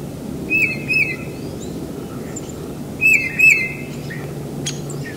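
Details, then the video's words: A tufted titmouse sings in spring near a house, whistling clear, rapid peter-peter phrases in two bursts a few seconds apart over a steady low rumble. "Tufted Titmouse Singing"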